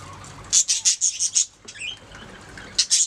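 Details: Budgerigars chirping: a quick burst of six bright, harsh high chirps, a short soft warbled twitter with a rising whistle, then two more sharp chirps at the close.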